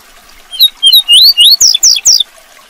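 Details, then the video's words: Tui tui zel zel song of the double-collared seedeater for tutoring young birds: a run of upslurred whistles followed by three sharp downslurred notes, over a faint hiss. "CANTO TUI TUI ZEL ZEL PARA ENCARTE DE COLEIROS E PAPACAPIM CANTO FIBRA"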